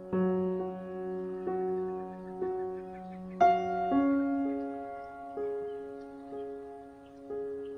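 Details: Soft, slow piano notes ring out one after another in a gentle melody, with no animal voices.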